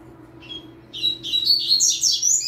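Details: A young yellow-bellied seedeater, singing with a green-winged saltator, starts with a lone thin whistle. It then pours out lively, high, squeaky warbles in quick clusters that continue to the end, over a low room hum.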